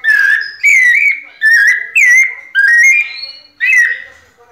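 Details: Six loud, pure whistled phrases of white-necked thrush pianado song, each lasting around half a second with slight upward and downward inflections, evenly spaced.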